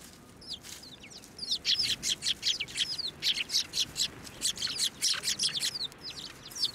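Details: Busy chatter of Eurasian tree sparrows being hand-fed at a Tenmangu shrine, 9 December 2023; a quiet start gives way to rapid, continuous high chirping from several birds.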